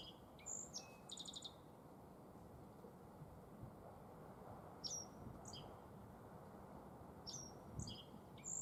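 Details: Black-faced bunting singing in spring in Tenjinyama green space, Sapporo, Japan: a rapid high phrase of sharp chirps and a short buzzy trill, followed by scattered high notes and another brief phrase, over a low background rumble.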